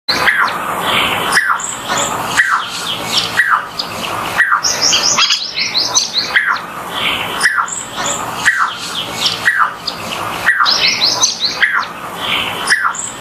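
Jacobin cuckoo giving loud, ringing whistled notes about once a second, each dropping sharply in pitch, with bursts of high twittering from other small birds.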